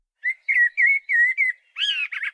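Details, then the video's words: Common Blackbird song verse, heard almost everywhere in spring: five mellow, deliberate whistled notes at an even, relaxed pace, ending in a higher squeaky twiddle of two quick scratchy bursts; short verse under three seconds, no other sounds. "Here's a verse of Blackbird's song, heard almost everywhere in spring."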